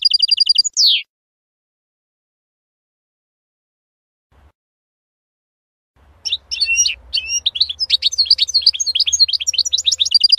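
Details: European goldfinch F.O.C.S.E training song for young birds: a short, even trill ending in a falling slur, several seconds of quiet, then dense, scratchy, high twittering over a faint low hum.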